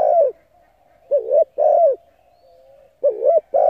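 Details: Spotted dove calling to stimulate decoy birds: deep, mellow coos with a short hooked note followed by a longer drawn-out falling coo, separated by a faint steady tone.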